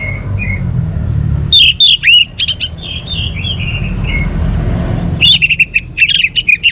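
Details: Orange-headed thrush song: soft whistles at first, then a loud burst of varied sharp notes, slurred whistles and chattering phrases, pausing briefly before a fast buzzy run of notes near the end, over low background rumble.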